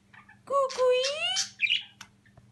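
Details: A pet myna gives a drawn-out, speech-like phrase of smooth sliding whistled tones, then a brief harsh rasp, over a steady low electrical hum.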